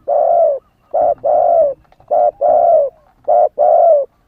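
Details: Spotted dove, a young bird that has not yet moulted its wild plumage, calling to lure wild doves: a short coo followed by a longer, slightly falling coo, the pair repeated three times in quick succession, loud and clear.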